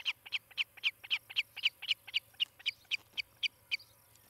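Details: Osprey calling from its nest in Charlo, Montana, on a nest camera, late morning of 18 July 2018: clear high whistled chips repeated about four per second, growing sparser and softer toward the end, over a faint hum.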